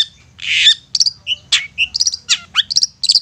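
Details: Long-tailed shrike song used as a lure to stir quiet shrikes into singing: opens with a broad harsh rasp, then a quick varied string of high whistles, short slurred notes and clipped chips.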